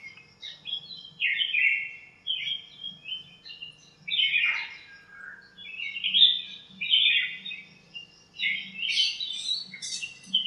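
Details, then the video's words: Backyard birds in a lemon tree on a cool, sunny morning, fighting and calling to each other; a series of bright, scratchy chirping phrases with a faint low hum underneath. "chirps at morning | backyard bird sounds"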